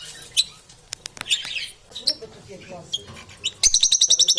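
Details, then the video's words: Lovebirds giving strange sounds with crunching noises: scattered high squeaks and clicks, some soft chatter, ending in a rapid run of shrill, evenly spaced chirps. "Strange sounds and the crunch of inseparable parrots"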